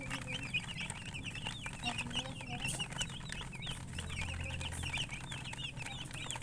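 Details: Chicks peeping constantly, many high, short, downward-slurred chirps overlapping in a busy flock chorus, with a low background hum and a brief low drone partway through.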